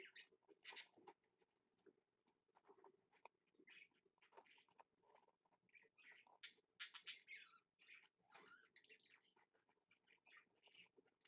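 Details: Pet budgerigar (parakeet), captured on a live stream dated 2.10.15, giving soft scattered chirps and short squeaky notes in irregular bursts, with quiet gaps and faint background noise between them.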